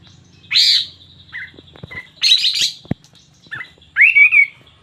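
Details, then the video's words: Lively 'gacor' singing of a sooty-headed bulbul: separate bright chirpy bursts about every one and a half seconds, ending in a rising, warbled whistle, with a soft low hum behind. "Suara Burung Kapas tembak Super Gacor"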